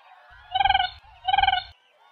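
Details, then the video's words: Siberian crane giving two loud, rolling, harmonic calls, each about half a second long and slightly pulsed, separated by a short pause. "Siberian Crane Sound// Siberian Crane Call//درنای سیبری کی آواز"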